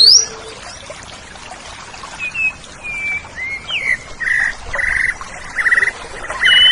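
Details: Oriental magpie-robin, a kept songbird, used as a master recording to train pet birds: thin whistled slurs, then a run of loud, even buzzy notes near the end, repeated about every half second.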